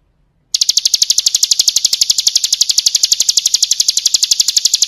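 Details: Ciblek kristal, or bar-winged prinia, singing a training song for caged birds. After half a second of quiet, a rapid, even stream of thin, high clicking notes starts and runs unbroken to the end.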